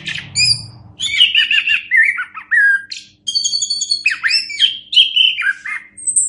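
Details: Orange-headed thrush song kept as a master recording for teaching other birds: a varied run of clear whistles, trills and buzzy notes, sliding high and low, with a faint low hum behind.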